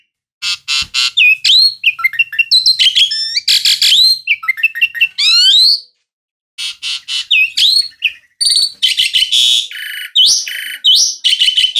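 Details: An Asian pied starling pours out a long, loud, varied song of grating buzzes, twangy rising whistles and rapid chattering notes, broken by one short pause before resuming with harsh bursts and slurred whistles.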